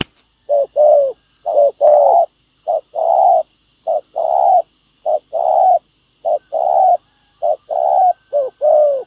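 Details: Decoy spotted dove on the ground meeting a wild dove that coos well: steady series of short-then-long low hollow coo pairs, roughly one pair per second, with a faint high hiss behind.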